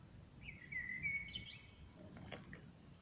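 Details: Common blackbird singing outside a window, recorded on a smartphone: one fluty, warbling phrase sliding around a mid-high pitch and lasting about a second and a half, over a steady low background drone.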